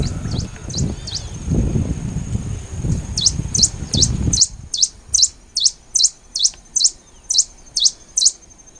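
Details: Black-and-rufous warbling finch calling at Laguna del Diario, Uruguay, on 24 December 2015: thin high downslurred notes repeated about two to three per second over a steady high hum, with low rumbling noise during the first half.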